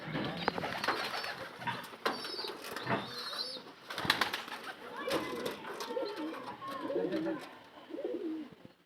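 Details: Desi (native domestic) pigeons: low, throaty cooing murmurs bubble up repeatedly through the second half, over frequent clattering knocks and wing-flap bursts, with a few thin high squeaks early on.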